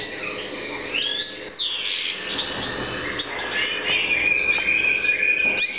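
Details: European goldfinch in the 2014 breeding season: dense, rambling twitter of rapid chirps, rolling trills and slurred rising notes, with a thin steady tone running beneath the later part.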